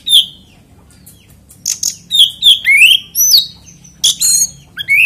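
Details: Kacer, the oriental magpie-robin, singing a lure song meant to set other magpie-robins off: clear whistles sweeping up and down, quick chirps and slurred rising notes in rapid succession, with faint low hum behind.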